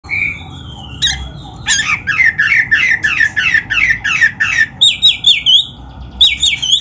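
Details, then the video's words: Oriental magpie-robin (kacer) song from Indonesia, offered as a masteran tutor recording for training young or quiet birds. A thin whistle, then a fast run of repeated buzzy, rising notes about every quarter second, ending with high sweeping whistles. "Suara Burung Kacer yang Cocok Buat LATIHAN"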